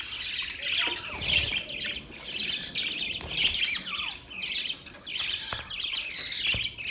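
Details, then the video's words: Several budgerigars chatter together in a constant stream of high, scratchy chirps and warbling squeaks, with no pauses and no other sounds. "Budgies birds chirping sounds"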